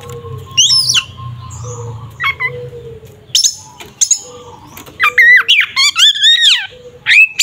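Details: Oriental magpie-robin fighting song to goad a rival: scattered chips and squeaks over a faint low hum, ending in a burst of rapid tumbling whistled notes and trills.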